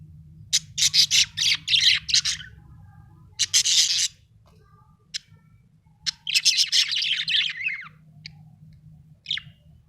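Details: A budgie chirps in quick, raspy clusters separated by short pauses, with a few isolated clicks between the bursts and a constant low background hum.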